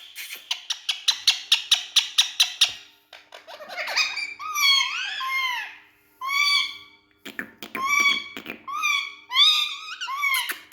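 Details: Talking Indian ringneck parrot kept with two other speaking parrots, opening with about a dozen quick evenly spaced clicks or taps, then swooping squeaky chatter and a series of repeated short harmonic squawks.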